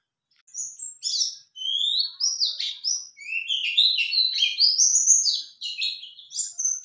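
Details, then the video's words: White-eye song for luring a male into answering: after a short silence, a lively run of high chirps and sweeping whistled notes, delivered in rapid, uneven bursts. "Jika Pleci Jantan Pasti Ikut Nyaut"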